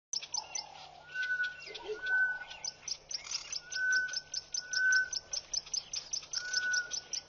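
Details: Grey-headed bushshrike (Malaconotus blanchoti) song at Pete's Pond, Mashatu Game Reserve, Botswana, 4 February 2014, a call often heard there in early morning: long, level, mournful whistles every second or two over busy, high, rapid chirping of other birds.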